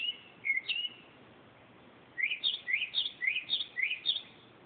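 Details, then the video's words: Northern mockingbird at night, 2:30 am, singing a repeated rising whistled note, about five quick upslurred notes in a row after two earlier dropping phrases, steady background hiss. "Mockingbird at 2:30 am"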